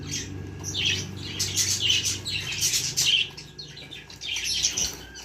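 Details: Baby budgerigars kept as pets, giving busy high chirps and squeaky twitters in overlapping bursts, with a low steady hum underneath.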